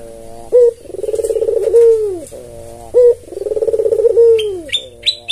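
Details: Tame albino Barbary dove with red eyes calling steadily, kept as a lure bird: a sharp upward note, then a long pulsing rolling coo ending in a falling slur, repeated twice; faint high chirps at the end.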